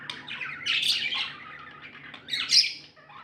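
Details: Short burst of happy budgerigar sounds: harsh squawky chirps and warbles, a loud rough squawk early and another sharp call near the end, low hum beneath.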